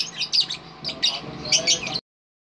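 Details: Lovebird giving long trilling song: bursts of high, rapid chirps and squeaky trills, several short phrases over two seconds, then abrupt silence.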